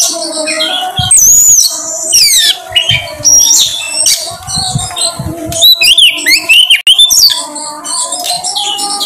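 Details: Oriental magpie-robin, locally kacer, singing as a lure to get birds to show off their songs: long descending whistles, buzzy phrases and looping slurred notes, with a faint low drone behind.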